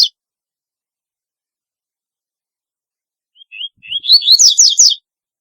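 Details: Double-collared seedeater delivering its highly distinctive song: after a pause, a couple of thin introductory notes climb into a fast, rattling, high-pitched trill of roughly a second. A clipped note from the phrase before opens the recording. No other sounds.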